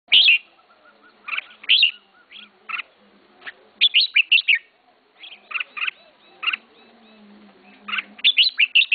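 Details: Caged red-whiskered bulbul, its keeper's first bird, singing short bright chirpy phrases of warbled, slurred notes in bursts separated by brief pauses, with a faint low hum in the background.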